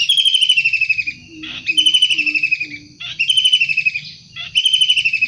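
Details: Wild long-tailed shrike in vigorous voice: four buzzy, rapidly pulsed downward-sliding rattles spaced about every one and a half seconds, with soft low notes between them.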